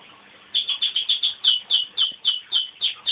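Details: Male crossbred canary kept as a pet, singing after a whistle from his owner. Silence, then a steady burst of about twelve sharp, bright chirps at roughly four per second, each dropping slightly in pitch.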